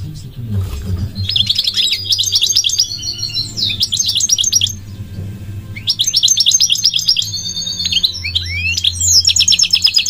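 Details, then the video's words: Elegant migratory goldfinch delivering two long bursts of rapid, tinkling twitters and buzzy trills separated by a short gap, against a soft low hum. "The elegant migratory goldfinch sings the most beautiful singing"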